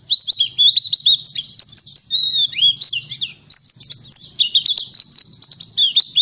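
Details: Pleci (oriental white-eye) trigger song meant as training material for learning ngalas: dense, high twittering with rapid up-and-down slurred notes, a brief dip just past three seconds, then more tumbling chatter.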